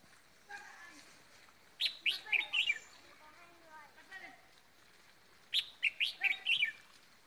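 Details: Decoy red-whiskered bulbul after Tet. It sings two quick runs of lively, warbled chirps separated by a few seconds of faint background sound and soft distant calls.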